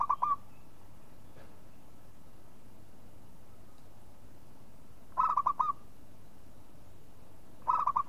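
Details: Local zebra dove call used as a lure: short rolling coo phrases at the start, near the middle and at the end, separated by long quiet gaps with low background hiss.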